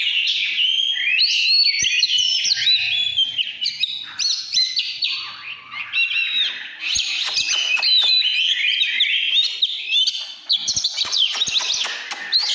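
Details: Oriental magpie-robin, 'căn lửa' song of loud, varied whistles and chattering trills with several sharp clicks, the phrases broken by brief quieter moments.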